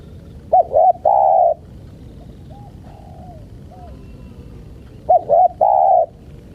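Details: Spotted dove (tekukur) luring wild birds: two loud three-part cooing phrases, two short hooked notes then a long steady coo, about four seconds apart, with soft distant coos between them.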